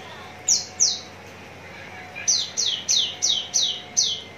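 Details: A contest-ready Javan bush lark from Citra Raya, Tangerang, utters two high falling whistles, pauses, then a steady row of six similar sharp notes about three per second.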